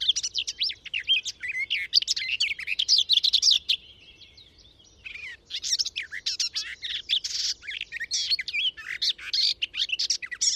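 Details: Garden warbler song from within a hedgerow, captured on a Sound Devices MixPre 6 II with Telinga dish: loud, rapid, continuous warbling chatter of mixed high notes, broken by one short pause near the middle before the phrase resumes.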